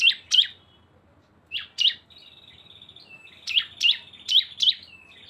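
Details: Cisem lure combining two birds: pairs of sharp, high down-slurred chirps, a faint whistled trill, then a closing run of four quick chirps.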